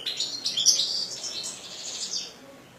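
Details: A continuous run of high, tinkling twitter from a kept European goldfinch. Bubbly chirps blend into a fluid warble that fades slightly at the end.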